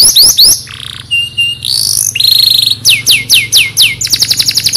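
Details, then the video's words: Canary from Temuireng, Petarukan, Pemalang, Central Java, Indonesia, singing a loud, varied song: high falling slurs, a steady whistled tone, then a series of sharply downswept notes and a fast rising trill, over a faint low hum. "KENARI JAMAN NOW!"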